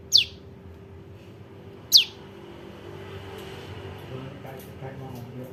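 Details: Juvenile bar-winged prinia calling, used as trapping lure: two thin, steeply falling high chips about two seconds apart, then faint scattered sounds and low hum.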